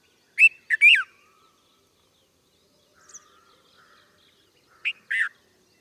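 A red-vented bulbul gives quick bubbly, chirping phrases of three or four notes, then a softer phrase and a final pair of notes, over a quiet background.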